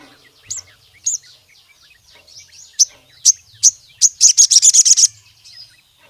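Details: Ruby-cheeked sunbird (sogon) in active full song, used to challenge rivals and lure or tutor other sogon birds into singing: high, thin upslurred whistles about every half second, then a rapid burst of eight sharp buzzy notes.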